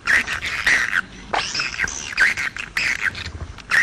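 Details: Edible-nest swiftlet in a sound style called jaguar: scratchy, buzzy chirps in irregular bursts, with one longer rasping, sweeping note in the middle and short pauses between groups.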